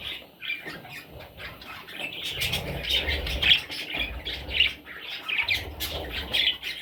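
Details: Parrot chicks calling together in a steady, dense chatter of high, short chirps and raspy notes, overlapping and irregular, with low rustling and thumping handling noise underneath.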